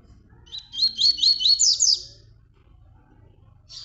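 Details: Tui Tui song used to train young birds. There is one burst of about six quick rising whistled notes over a second and a half, ending in a brighter trill, with a short chirp after a pause and faint low background hum.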